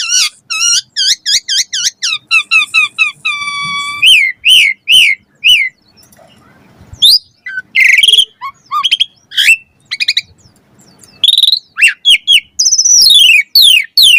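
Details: Caged Asian pied starling performing a richly varied master song: a fast chain of rising whistled notes, a sustained tone, descending sweeps, then a mix of harsh chatters, clicks and buzzy trills.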